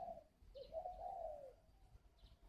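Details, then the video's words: Wild-caught spotted dove kept in a cage at a bird garden near Ba Vi, Hanoi, in northern Vietnam, giving one short low coo phrase: a brief note, then a longer hollow, slightly undulating coo that fades away. "cu gay Hay"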